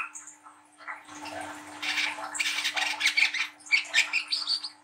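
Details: Young spotted brown-throated sunbird with a coarse chattering song intended to coax young birds into singing; scratchy notes build into quick repeated harsh bursts near two per second, with a low hum and faint rustling.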